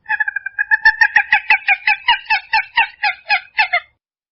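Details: Purple gallinule delivering a loud nasal cackle in a clean, unaltered recording: fast stuttering notes that become strong rhythmic clucks, slowing and dropping slightly before stopping after about four seconds.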